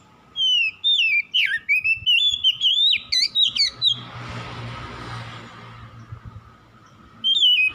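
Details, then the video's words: Lure song of an oriental magpie-robin, meant to restore singing in birds that have gone quiet: about three seconds of varied loud whistles and quick trills, then a pause filled with hiss and hum, and a brief whistle returning at the end. "PANCINGAN SANGAT AMPUH MEMULIHKAN KACER MALAS BUNYI CEPAT GACOR"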